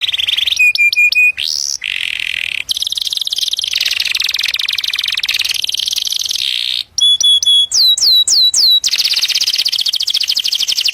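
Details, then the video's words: Canary singing to attract a mate: long fast rolling trills alternate with bursts of sharp clipped notes and a run of quick downslurred whistles, the rolls humming on for seconds at a time with brief pauses between sections. "كناري يغرد لتزاوج"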